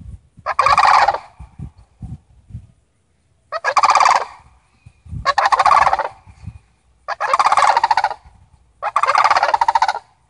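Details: Five rolling, guttural rattles from a family of Sandhill Cranes visiting, each about a second long and repeated roughly every two seconds, with faint low thumps before the series.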